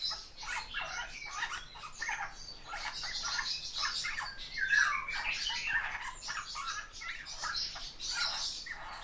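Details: Eurasian bullfinch song: a dense run of scratchy, creaky, squawking notes spread high and wide, with one brief soft whistled note near the middle and steady chattering throughout.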